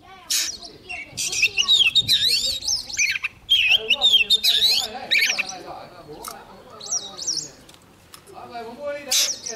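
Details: Young Oriental magpie-robin singing strongly near an approaching wild bird. Harsh squawky notes mix with swooping whistled phrases in short bursts, over background voices, and fade toward a quieter end.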